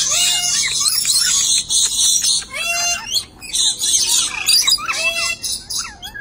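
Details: Dusky lories in a pair chatter and screech, harsh hissing bursts alternating with quick nasal up-and-down notes and clipped squawks, the pace broken and uneven.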